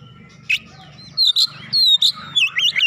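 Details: Oriental magpie-robin song to provoke a sluggish kacer into singing: scattered chirps over low rumbling background, building into rapid wavy whistles and looping trills toward the end.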